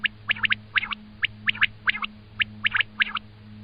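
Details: Common quail giving clipped high notes in pairs and triplets, repeated about once a second over a constant low electrical hum.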